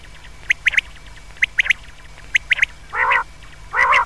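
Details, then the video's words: Common quail (batair) call meant for night use: crisp triple-note phrases repeated several times, followed by two louder hoarse, nasal bursts. "Batair ki awaz raat keliye behtreen awaz | comon quails | بٹیر کی رات کےلیے بہتریں آواز"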